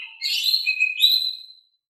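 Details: Calm-voiced Oriental magpie-robin song used as a lure to make reluctant birds answer: a short phrase of smooth, held whistles sliding downward, then a brighter rising note, with no background sound.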